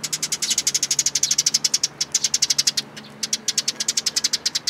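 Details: A fast, almost unbroken series of shrill repeated chirps from sparrows at a plum-tree feeding place at a Tenmangu shrine, Japan, 21 June 2022, where a new chick has joined the flock.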